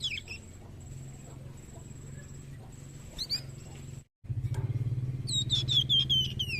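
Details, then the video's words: Young Scarlet Minivet singing a master song for training birds: after quiet scattered notes, a series of high whistled notes slides downward, each slightly lower than the last, over a low background hum. "GACOR ISTIMEWAH BURUNG MASTERAN FLAMBOYAN MUDA"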